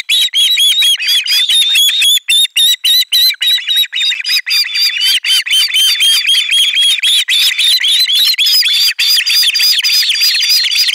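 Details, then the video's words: Osprey young at a nest in Finland, 18 July 2022, screaming together on receiving a fish; long unbroken run of piercing, rapidly repeated whistled cries. "Kala otetaan vastaan äänekkäästi kuorossa kiljuen"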